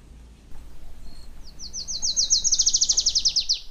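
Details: Adelaide's warbler (Setophaga adelaidae), a Puerto Rican native, sings a high, fast trill of about fifteen buzzy notes that rises slightly and grows louder toward the end, over faint background hiss.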